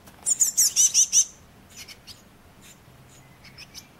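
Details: Eurasian blue tit fledglings, five young fallen from the nest, recorded 31 May 2012, give six rapid high-pitched squeaky chirps, followed by scattered faint, thin calls over a quiet background.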